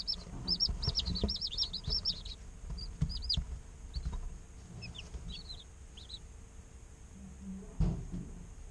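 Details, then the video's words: Incubator chicks a day old give a quick run of high peeps, then sparser soft chirps over low background hum and a late knock. "Chicks Chirping Sounds - Baby Chicken Sounds"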